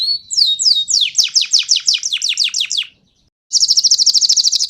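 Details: Panda canary singing to provoke a response from other birds: a few rising whistles lead into a series of loud descending slurred notes about five per second, a short silence, then a very fast, high, even trill.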